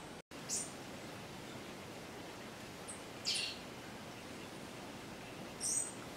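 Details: Cuban Bullfinch (Melopyrrha n. nigra) at Cueva de Jabali, Cayo Coco, Cuba, on 21 February 2017, gives three brief, thin, very high chipped notes a couple of seconds apart over a steady background hiss.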